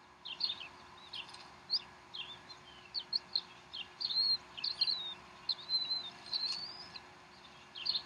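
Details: At a Decorah bald eagle nest on 12 April 2012 at 3:10 pm Central Time, the mother feeds the young; rapid high-pitched peeps and short upslurred chirps follow one another closely, with a constant background hum.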